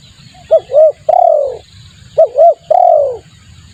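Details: Lure call of a spotted dove, used as bait: two phrases, each of two quick rising-falling coos followed by a long, drawn-out coo that sinks in pitch, repeated about a second apart over a low rumble.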